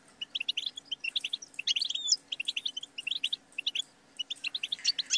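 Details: Goldfinch song: quick bursts of bright, tinkling twitters in short phrases, separated by brief pauses, with a few thin rising whistles mixed in; a faint low steady hum underneath.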